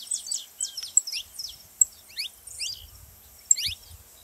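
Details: Saffron finch song played to get other birds singing: scattered sharp, high chirps sweeping downward, some paired, with brief pauses and faint low thumps underneath.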